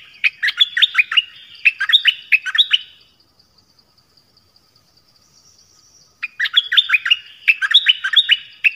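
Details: Dok Taeng bird singing varied phrases: a run of rapid, bright chirped and whistled notes for three seconds, a quiet gap, then another long burst of quick, lively notes.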